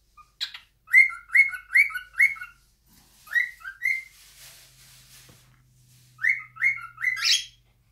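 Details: Pet cockatiel whistling its song in bursts of rising two-tone notes, separated by a quieter stretch of soft hiss and a faint low hum.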